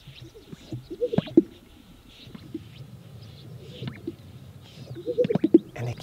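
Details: Greater Sage-Grouse males displaying on a spring lek in the sagebrush steppe of southern Wyoming at early morning, inflating yellowish sacs: soft swishes, then paired bubbly popping plops about every four seconds, other males faintly behind.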